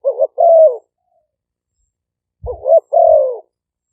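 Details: Live decoy recording of spotted doves in Roi Et, Thailand, Malay and lively strains, noise filtered: two phrases, each a wavering double note followed by one long, steady low coo, with a dull thump beneath the second.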